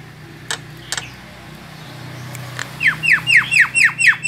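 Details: Javan myna, a white-eyed bird, giving lure calls to attract other birds: after faint knocks and background hum, a run of harsh downward-sweeping chirps repeated about four times a second.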